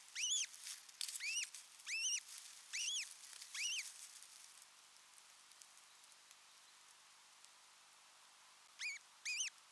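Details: Satakunta, Finland, 6 June 2023: an osprey pair alone together at the nest for the first time; a series of arched, ringing whistles about every half second, then silence, then two more calls.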